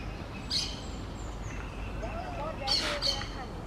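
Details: A lone, outcast green parakeet trying to communicate with a flock gives two short bursts of harsh, raspy screeches about two seconds apart, with faint chirps between and a person talking in the background.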